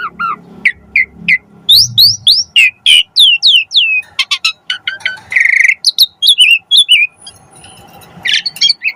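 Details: Asian pied starling song for training cage birds: quick chirps and rising slurred whistles, a loud buzzy note midway, then scattered whistles, with low rumbling background noise at the start.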